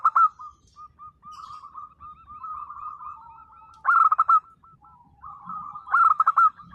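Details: Local zebra dove singing the 'nembak' song meant to provoke mute perkutut into answering: soft rolling coos running between two loud, rapid stuttering bursts of notes, clean background.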